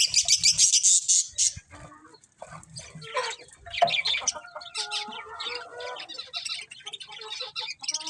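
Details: Several colourful budgies chirp in a busy flock chorus of dense, scratchy, high warbling bursts, broken by a brief lull near the middle, then lower, drawn-out tonal notes mixed into the chatter.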